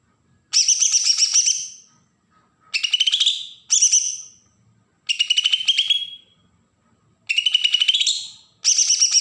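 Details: Agitated besetan song of a Bornean green leafbird in Berau, Kalimantan, used as a lure for fresh wild-caught birds: six harsh, rattling phrases of fast buzzy pulses, some ending in a rising whistled slur, separated by short pauses.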